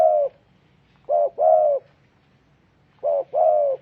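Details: Spotted dove, locally tekukur, repeating its two-note coo: a quick short hoot then a sustained mellow coo, about three phrases spaced nearly two seconds apart, clean with little background sound.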